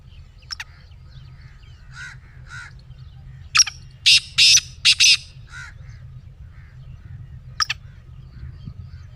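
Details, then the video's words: Pet black francolin calling, a sound meant to start a silent francolin calling: scattered sharp notes and soft chirps, then a run of five loud harsh grating notes midway, with a steady low hum throughout. "Black Teetar Voice"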